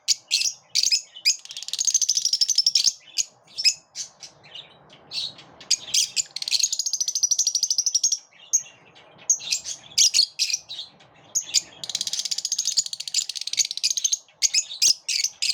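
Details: Lovebirds in a group, pushing one another away, keep up a dense, continuous chatter of shrill chirps and long buzzy, rattling squawks that swell and fade over several seconds.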